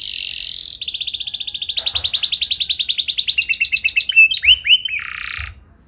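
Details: Canary singing a lure song meant to draw other canaries into long rolling song: a fast, even trill of high repeated notes running over three seconds, breaking into a few sweeping chirps and a short buzzy note.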